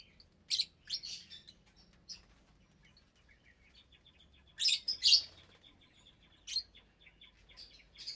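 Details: Roughly 25 caged lovebirds, parblue, euwing, opaline, lutino and albino, eating together while breeding; loud shrill chirp bursts separated by a long run of soft, rapidly repeated high ticking notes.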